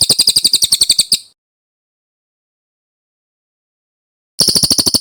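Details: Master recording of a brown cililin for training birds: a brisk stream of shrill, high notes stops after a second, silence follows, then the same fast repeated notes return.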